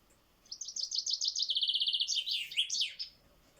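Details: Common chaffinch (Fringilla coelebs), male, sings a bright, high rattling phrase: quick chipping notes speeding into a steady trill, ending in a flourish, all in under three seconds.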